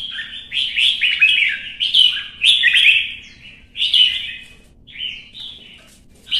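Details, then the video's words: Red-whiskered bulbul singing competitively: a rush of rich, liquid whistled notes sliding up and down, loudest early on, easing into spaced, shorter phrases. "CHÀO MÀO | Kè kích chim hót đấu kích ché căng lửa"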